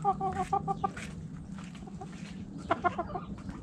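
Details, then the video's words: A hen in a backyard coop clucks in a quick run of evenly spaced short notes, then a few louder clucks follow over a low hum. "Hens Clucking Roosters Crowing!"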